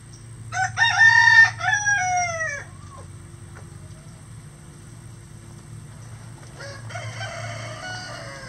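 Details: Rooster from a farm flock of standard and bantam breeds crows loudly in a stuttering start, then a long falling note lasting about two seconds. A quieter second crow begins near the end over low hum.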